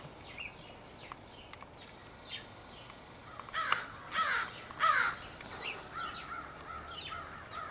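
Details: Crows of a large extended family group, perhaps choosing mates, give slurred, harsh caws in a loose series, a few louder, drawn-out calls rising above the distant chorus of others.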